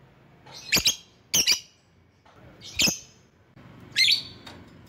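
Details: Lure lovebird calling rivals makes four harsh, noisy, high screeches, some doubled, spaced roughly a second apart over a soft low rumble.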